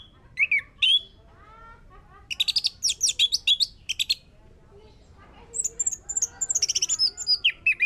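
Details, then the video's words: Orange-headed thrush lure song to prompt singing: varied fast phrases of high whistles, sharp chips and squeaky slurred notes, with a rapid rattling passage near the end. "Pancingan anis merah biar bunyi"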